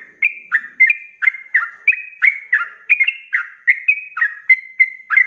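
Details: Sooty-headed bulbul (trucuk) in 'ropel' song for teaching cage birds: lively stream of short, clear, slurred whistles, some notes gliding downward, repeated about three times a second without pause.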